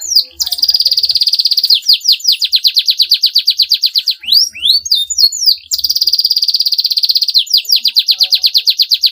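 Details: Canary in long 'gacor' song that provokes rival birds to sing back; high sustained buzzy trills alternating with fast repeated downward-sweeping notes and a burst of varied chirps midway, with faint low thumps.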